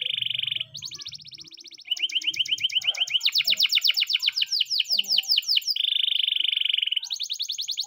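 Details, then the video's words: Canary singing a morning training song: a steady rolling trill, a higher rapid trill, then loud descending sweeps repeated quickly, returning to a level rolling trill and a high chattering run. "the best canary training song in the morning!!"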